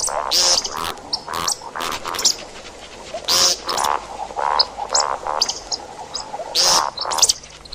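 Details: See-see partridge calling for hunters: a dense, continuous run of harsh croaky notes and sudden shrill bursts, several voices overlapping without a steady rhythm.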